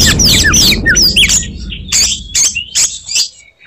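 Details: Oriental magpie-robin (kacer) in fighting mood, singing its characteristic 'tembakan' bursts meant to anger rival magpie-robins: sharp rising and falling whistles, then buzzy, rasping notes and clicks, with low rumbling background noise at the start.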